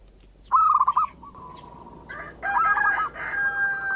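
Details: Zebra dove, or perkutut, giving manggung song used as bait to arouse other local doves; a short warbled coo phrase, a pause, then overlapping trilled coos, over a constant high-pitched hiss.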